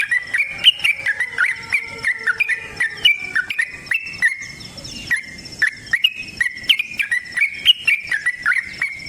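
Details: Yellow-vented bulbul in lively fighting-style song with a long rapid trill, used as a lure to make other bulbuls sing; bubbling, fluttering notes repeat in quick runs, with a brief noisy break near the middle.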